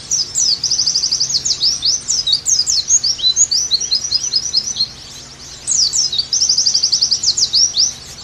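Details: Oriental white-eye song used as a training recording to bring captive birds back into active song: a fast trill, then twittering slurred chirps, a brief silence near 5 seconds, and a resumed trill with sharp down-slurs.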